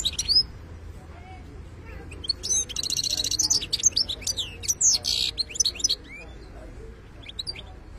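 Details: Wild-type European goldfinch (local 'khlawi' bird) singing in the 'btebta' style: scattered high chirps, then a dense burst of rapid buzzy trills and twittering notes from about 2.5 to 5 seconds, trailing into sparse tweets over faint low background hum.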